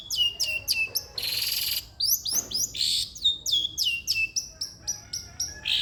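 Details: Long-tailed shrike singing, played to encourage a lazy shrike: rapid downward-slurred whistled notes in quick succession, broken by harsh scratchy bursts, continuous and lively.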